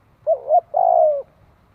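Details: Spotted dove cooing while a newly caught wild bird is trained: a short two-part hooted note followed by a longer, slightly falling mellow coo, low-pitched and clean with no other sounds.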